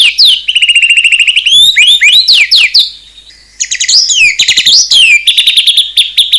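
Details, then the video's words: White-rumped shama pouring out a varied fill song: a rapid whistled trill, swooping slurred phrases, a brief lull, then jumbled high notes settling into a steady fast trill. "ISIAN MEWAH MURAI BATU_PALING TOP SUARA SANGAR"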